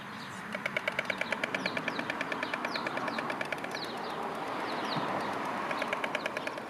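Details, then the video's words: White storks clattering their bills on 24 March 2022, a display used as greeting between pairs at the nest, recorded near a road: dry, rapid, regular wooden knocks in runs, with small bird chirps and steady traffic rumble. "die Störche klappern"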